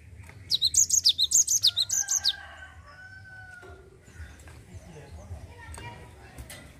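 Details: A short Java sparrow roll, played to draw song from other birds: about a dozen high, falling whistled notes in under two seconds, followed by faint lower tones and soft background noise.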